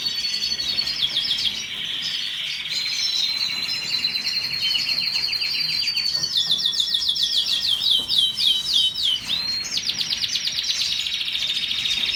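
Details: Canary singing continuously: high, bright rolling trills and rapid repeated chirps that shift between pitches, with fast buzzy runs near the middle and end.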